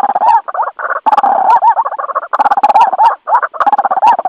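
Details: White-breasted waterhen lure call meant to bring other birds near traps or glue: loud, rough, continuous croaking with rising hooked notes repeated in clusters and brief pauses between bursts.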